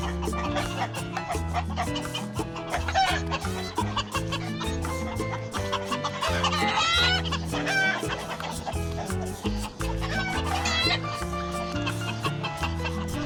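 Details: Neighbour's chickens, kept with a rooster and ducks, cluck in short, scratchy bursts around three, seven and ten seconds in while being fed and watered, over steady background music.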